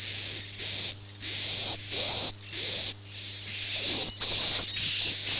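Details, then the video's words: Swiftlet calling in the Akau ngaji style, a string of hissy, high whistled chirps of uneven length with short gaps, fairly constant loudness, a faint hum underneath. "suara walet Akau ngaji Original"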